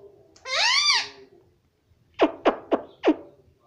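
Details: Indoor talking parrot saying "mummy" and "papa": a drawn-out, arching harmonic syllable, then four quick sharp downward clicks in a row.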